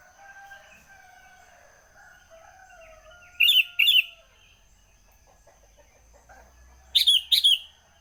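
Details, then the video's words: Sooty-headed bulbul chattering early in the morning, two paired bursts of loud, bright, slurred notes several seconds apart, preceded by long drawn-out background calls and a faint steady high tone. "burung kutilan masih pagi pagi sudah ngoceh"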